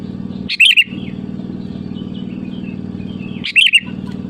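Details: Lure recording of a sooty-headed bulbul calling rivals: two brief chirpy phrases three seconds apart, quick rising-and-falling liquid notes, with a constant low mechanical drone between them.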